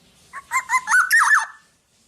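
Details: Black-naped oriole, in vigorous song used for training other birds, delivers one quick phrase: three short bubbling notes, then a loud looping fluty whistle that swoops down, lasting just over a second.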